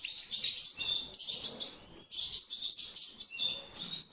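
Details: Mutant-colour European goldfinches in natural breeding, producing high, liquid twittering and jingling notes in dense overlapping bursts, briefly dropping off near the two-second mark before resuming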